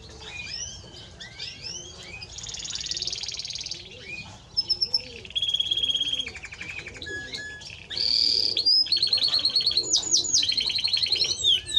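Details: Timbrado Español canary singing a varied run of high rolling trills, buzzy rattles and bright whistled notes that change every second or so, with soft low cooing audible underneath.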